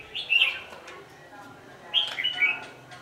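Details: Decoy red-whiskered bulbul singing during trapping on 27 November 2018 in late evening. Two short, warbled, whistled phrases are separated by a pause, over low background noise.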